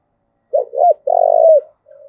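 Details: Đồng Nai spotted dove in thúc gù style, a coo used to stimulate and train decoy birds; two quick curved notes lead into a long, throbbing, buzzy coo, then a faint level tail.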